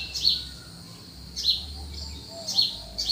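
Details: Early morning birdsong in cool countryside: bright, high, clipped tweets returning roughly once a second, each a quick doubled note, with soft low background rumble.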